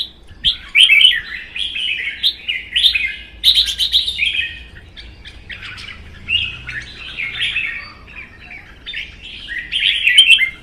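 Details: Contest singing by caged red-whiskered bulbuls in Vietnam, including a wild-caught bird kept one season that fans its tail. Repeated lively bursts of chattering whistles continue almost without pause, loudest at the start and end.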